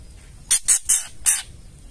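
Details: Four rapid dry rasps, three close together and one after a short pause, from a female white-rumped shama giving the ketrekan call that provokes males to sing.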